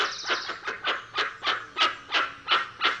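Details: Steady, rhythmic series of loud, hoarse honks from a dusky-legged guan, about nine evenly spaced notes in three seconds.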